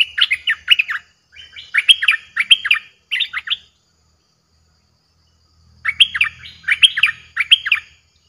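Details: Lure song of a streak-eared bulbul, aggressive in tone, played to draw in wild birds: short bursts of rapid, chattering whistled notes, a pause of about two seconds, then a longer burst with a soft low rumble beneath.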